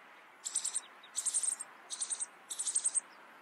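A rock bunting gives four short, thin, very high phrases of quick tinkling notes, each under half a second and spaced about half a second apart.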